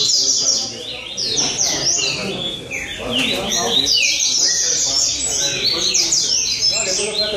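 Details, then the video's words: Rusty-collared seedeaters at a singing competition in São Vicente: several birds sing at once in dense, overlapping runs of high, fast, buzzy downslurred notes. Faint voices of people sit underneath. "Torneio de Coleiro em São Vicente"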